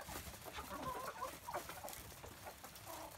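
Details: A flock of free-range chickens, let out early in the morning and fed, clucks in short, overlapping mid-pitched notes, about three a second, over a steady rustling farmyard background.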